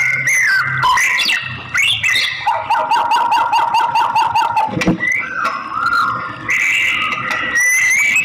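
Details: Female white-rumped shama (murai batu) calling a male: loud, continuous song of clear whistled phrases, a rapid repeated trill series, then rising and falling whistles, densely layered and unbroken throughout.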